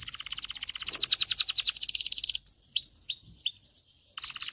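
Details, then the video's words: Excited canary song used for training male canaries and rousing females to mate: a rapid pulsing trill lasting over two seconds, several clear high whistled notes, a short pause, then the trill resumes. "غناء طائر كناري لتدريب والتسميع ذكور الكناري على الغناء Canary singing"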